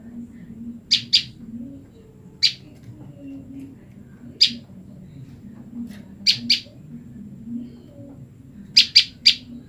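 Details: A female olive-backed tailorbird, separated from her male, keeps calling to her mate. Short, sharp, high chips come singly or in quick doubles and triples, spaced irregularly, over a low droning hum.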